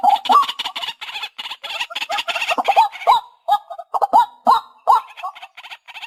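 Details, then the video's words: White-breasted waterhen, recorded as a trapping lure, giving a rapid jumble of nasal, croaking notes. A busier burst at the start thins into separate upslurred honks. "Tiếng Chim Cuốc"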